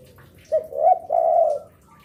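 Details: Spotted dove song used to lure other doves; a brief coo, a quavering coo, then a sustained low coo lasting about half a second, with quiet background.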